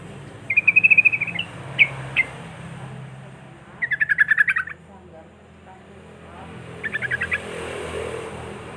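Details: Sooty-headed bulbul (trucuk) in a long rapid trill (ropel) recording used to lure other trucuk into singing: three bursts of fast repeated clear notes, the first a mid-pitched warble, over steady low hum and background noise.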